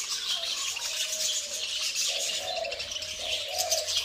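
Budgerigars chatter in a dense, high stream of chirps, warbles and squeaks.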